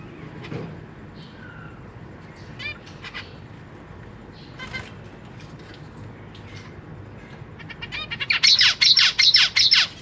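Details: Captive zebra finches in a large cage, parents feeding newly hatched and juvenile babies; scattered short chirps, then a loud run of rapid, evenly repeated high buzzy begging notes near the end, with low background rumble.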